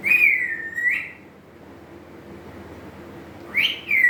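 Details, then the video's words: A male pet African grey parrot, apparently trying to talk, gives two clear whistles about three seconds apart, each starting high, dipping and curving back up, with quiet room hum between. "African Grey Parrot trying to say something!"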